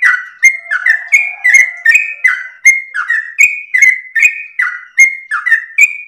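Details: Melodious, long-breathed song of a sooty-headed bulbul used for training and provoking other birds: about fifteen short whistled phrases, a high click at the start of each, then a falling slur, with a faint low hum underneath.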